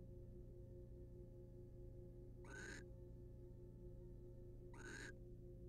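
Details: Wild barn owl pair in a monitored nest box, the male preening the female's feathers; two harsh, hissing screech bursts about two seconds apart, broad and noisy, over a steady low electrical hum.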